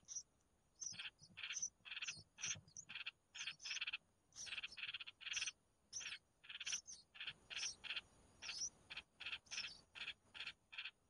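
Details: Red-whiskered bulbul chicks begging for food as the mother feeds them: harsh, buzzy, high calls in short bursts repeated two or three times a second, insistent and unbroken; nothing else intrudes.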